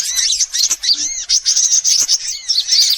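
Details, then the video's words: Sunbirds, in a lure recording meant to draw in all kinds of sunbirds: dense, high-pitched twittering chirps in rapid bursts, with short gaps and thin rising whistled notes between. "Suara pikat semua jenis burung kolibri"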